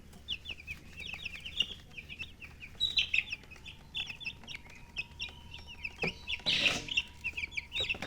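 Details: Baby chicks of the domestic chicken chirping: a busy stream of short, high, bright peeps overlapping each other, with a louder burst around the middle of the final seconds and a faint steady hum beneath.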